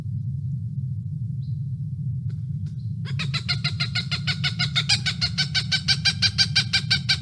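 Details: A Cooper's hawk gives a call: a rapid, harsh cak-cak-cak series of about three notes a second, starting quietly and growing louder, over a low hum.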